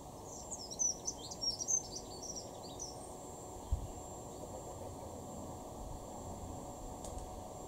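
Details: Garden Dunnock in Weener, East Frisia, northwestern Germany, recorded March 2023, giving one short, rapid, high-pitched tinkling phrase in the first three seconds, followed by steady background hiss and a single faint click.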